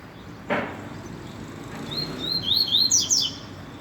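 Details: Rusty-collared seedeater song after a single dull thump: whistled notes starting softly and building into a quick, bright run of high zigzag chirps.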